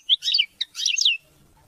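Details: A European goldfinch sings short bursts of tinkling twitter broken by a brief pause, a sample of song meant to motivate hunting and mating.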